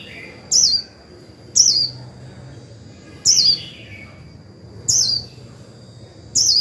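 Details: Decoy Japanese white-eye singing in the 'líu' warbling style to provoke newly caught birds into singing: short, high, twittering phrases roughly every one and a half seconds, with a steady thin tone droning underneath.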